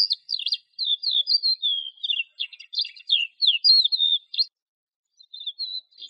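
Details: Fast, excited lark song of choppy high whistles and twittering notes for over four seconds, then a pause and a few quieter closing notes.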